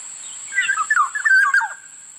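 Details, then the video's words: Black-naped oriole, locally called kilyawan, giving a burst of harsh, nasal, slurred notes that dip and waver over about a second, with a steady thin high-pitched electronic whine running through the whole recording. "Sound of Black-naped oriole Huni ng lapiting kilyawan"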